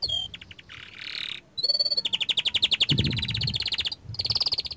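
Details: Small standard young canary singing vigorously: short whistled notes and a buzzy burst, a pause, then long rapid trills of pulsed notes with faint low thumps underneath, ending in a high ringing roll.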